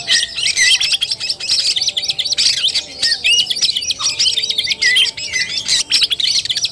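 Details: Oriental magpie-robin singing in fighting style (kacer tarung), recorded 17 August 2021: a dense, continuous run of fast chirps, rapid trills and sweeping whistled notes, with several brief pauses and faint background hum.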